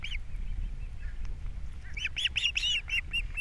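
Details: Wild ospreys on Captiva, April 3, 2022, as the male brings a fish and the female feeds the babies; scattered faint whistles build into a lively run of loud, shrill chirps near the end, with low background noise.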